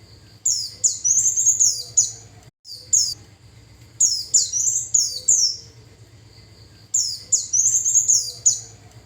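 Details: Lure song of Japanese white-eye meant to draw in wild birds, bright high-pitched chattering bursts of quick descending chirps and trills, repeated in three phrases separated by quiet gaps, with a steady low background hum.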